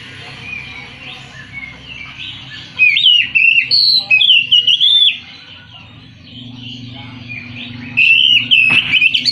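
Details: Oriental magpie-robin pouring out rising and falling whistles and quick chirps in two bursts, against a steady low hum.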